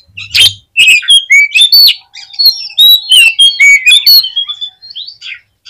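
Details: Oriental magpie-robin song used as a lure to rouse other magpie-robins into high excitement. A varied run of loud, clear whistled phrases, slurred up and down, with short buzzy notes mixed in and brief gaps between bursts.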